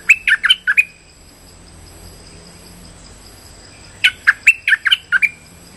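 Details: Streak-eared bulbul lure call used for trapping: a burst of short chirped notes near the start, then a second lively run of bright, slurred chirps after a pause, with a steady high electronic whine behind.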